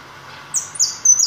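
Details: A white European goldfinch gives three quick, very high, bright notes about a quarter second apart, over a faint background hiss.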